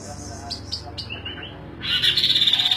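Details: Songbird sold as a master-tutor recording, known locally as kaso-kaso, kidangan or tepus glagah, singing persistently: a few short high chirps, then a bright, fast, buzzy trill that starts partway through and keeps going to the end.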